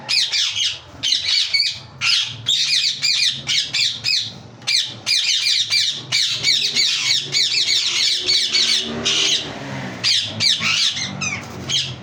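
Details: Yellow ringneck parakeet (Indian ringneck, rose-ringed parakeet) gives harsh, high, raspy squawks in quick bursts, nearly nonstop, over a faint low hum.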